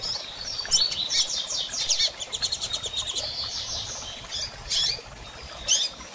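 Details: Female double-collared seedeater chirping a lot, to spur a male to sing after moult; high slurred notes, a quick run of clicking chips in the middle, then isolated sharp calls.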